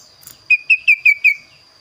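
A kaso-kaso bird gives five quick, clear whistled notes, each sliding slightly downward, about five per second, over a steady thin high hum.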